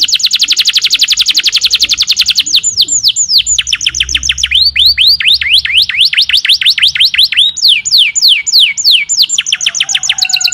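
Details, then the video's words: Lively canary song opening with a very fast high trill, shifting into loud repeated upward-sweeping whistled notes and rapid rolling phrases, sustained and vigorous throughout. "Kenari gacor"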